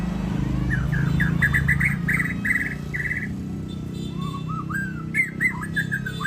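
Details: Singing contest champion white-rumped shama repeating a quick series of short whistled notes at an even pace, then shifting to lower slurred phrases and sharp high notes, with a steady rumble of traffic and crowd behind.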